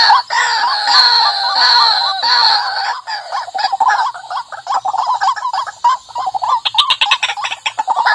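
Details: White-breasted waterhen lure call, described as fierce: harsh, nasal, drawn-out croaking notes for three seconds, then a fast run of short, stuttering, rising and falling clucks. Faint rasping sounds are in the background.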